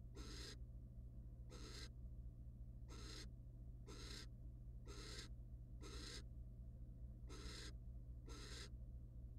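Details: Wild barn owls at a nest box cam while the male mates with and preens the female; eight harsh hissing bursts at uneven intervals, each about half a second, against a constant electrical hum.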